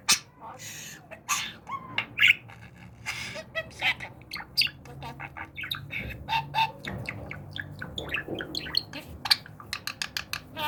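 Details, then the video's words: Trained pet budgerigar chattering: long irregular string of clicks, squeaks and grating notes with sharp ticks, over a steady low background rumble. "Konuşan Muhabbet Kuşu Eğitim Alıştırma"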